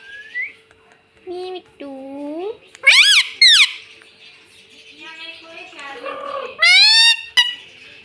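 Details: Talking pet ringneck parrot, said to say "mummy" and "mitthu": a series of short, speech-like tonal phrases, some rising, some sharp and high with wavering harmonics, in an indoor room.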